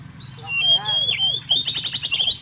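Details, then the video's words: Kacer rough fill-in song, oriental magpie-robin training material: a long sustained high whistle with a dipping note, then a rapid run of sharp, harsh repeated chirps. "SUARA BURUNG KACER ISIAN KASAR | TERAPI KACER AGAR GACOR"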